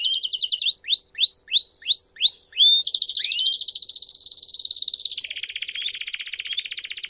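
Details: Campainha-style song of a Belgian canary, used to encourage caged canaries to sing: five spaced, hooked notes repeated about twice a second, then a long buzzy rolling trill that stays high and steady.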